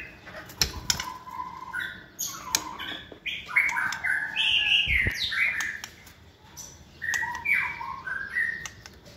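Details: Multi-voiced captive white-rumped shama, hand-raised and in its second season, sings a rich run of varied whistles, slurred notes and bright chirps, with brief clicks between phrases.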